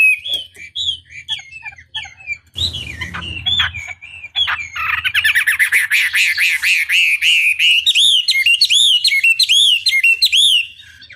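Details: Chinese hwamei in full song, a tutor recording made to stir rival hwamei into answering: scattered whistled phrases, a brief rustling noise, then a long fast series of clear arched whistles.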